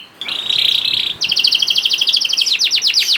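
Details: Young canary singing a lure song to encourage other canaries: a sustained buzzy tone, then a rapid, double-toned rolling trill that ends in quick descending sweeps.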